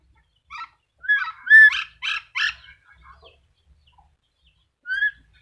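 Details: Black-capped lory giving a short series of loud, harsh, nasal calls with squawky overtones, clustered in a burst near the start, then a pause before one final upslurred call; otherwise quiet.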